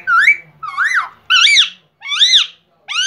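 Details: A rescued, uncaged Indian ringneck parrot talks in four quick, shrill, nasal phrases about half a second apart, each rising and falling in pitch, in a small room.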